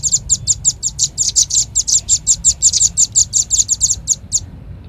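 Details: Velvet-fronted nuthatch, lure recording: an unbroken string of shrill, high-pitched chips that speeds up slightly in the middle before stopping abruptly.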